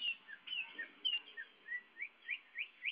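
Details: Greater green leafbird, a young bird, singing eagerly: rapid bright whistled notes, several falling and then a series of rising slurred whistles repeated about every third of a second.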